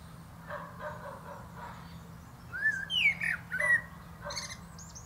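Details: Common blackbird singing atop a plum tree, soft distant notes first, then a loud mellow rising and falling whistle followed by high thin twittered notes; steady low hum throughout.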